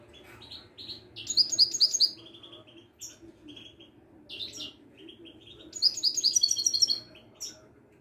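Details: Widani goldfinch of Morocco singing its mchach phrases: two bursts of fast, ringing repeated high notes with scattered twitters between them, above a constant low hum.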